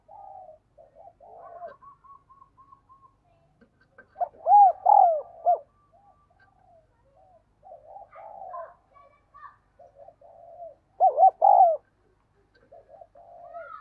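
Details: Decoy spotted dove's urgent luring calls: repeated hollow cooing phrases of short notes and a drawn-out note, with softer coos and faint higher calls between them.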